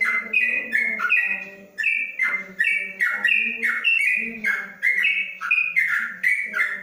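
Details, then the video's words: Caged yellow-vented bulbul in a covered cage in Kebumen, singing the long 'ropelan panjang' style: rapid chains of bright whistled notes that step up and down, in bursts with short pauses, over low steady humming tones. "Trucuk Ropelan Panjang"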